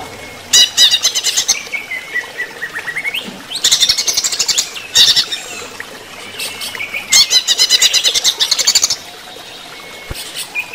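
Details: Greater green leafbird in full song during running-water therapy, alternating loud rapid chattering trills of about two seconds with long thin whistled notes that rise and fall, against a steady hiss of running water.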